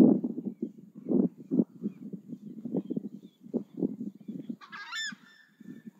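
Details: Southern screamer calls: a steady run of low, rough honking notes in quick uneven bursts, with one brief, high, ringing harmonic cry near the end.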